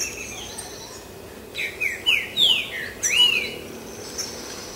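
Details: A green-winged saltator, hidden from view, gives a short burst of five or six rich, slurred whistles over about two seconds, with a faint thin high tone in the background.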